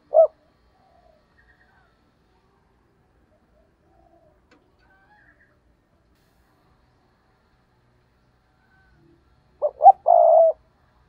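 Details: A spotted dove kept as a decoy, cooing in the 'gù cà lăm' stuttering manner to provoke rivals. One short note opens, then near silence, ending with two quick stuttered notes and a long coo.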